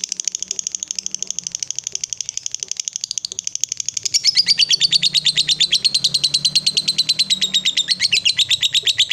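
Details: Long chatter (ngekek) of a female fighter lovebird used to goad rival birds: a continuous rapid string of harsh high notes, growing louder after four seconds and sliding gently downward, with a low hum behind.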